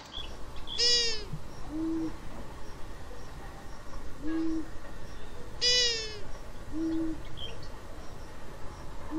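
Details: A Long-eared Owl, an individual with a notably nasal voice, gives soft, low, nasal hoots every one to two seconds, with two bursts of high, squeaky, wavering calls over a steady background hiss.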